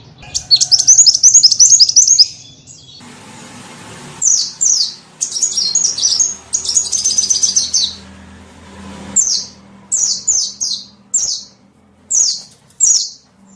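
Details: Small bird calls used as a lure to attract small birds: a rapid high chattering trill for two seconds, then scattered bursts of sharp, high downslurred notes, with a faint low hum underneath.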